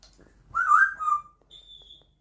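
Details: Pet African grey parrot indoors, a loud imitator of a dishwasher beep, giving a bright wavering whistle that rises and dips, then a thin steady high electronic-like tone trailing after it.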